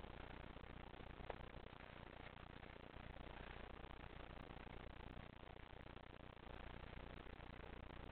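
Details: Dense, even hiss like static runs throughout, with no animal call anywhere.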